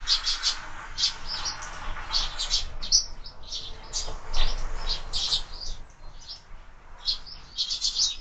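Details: Sparrows feeding at feeders mounted on a window, giving dense bursts of short high chirps in overlapping clusters throughout, with a soft low rumble underneath.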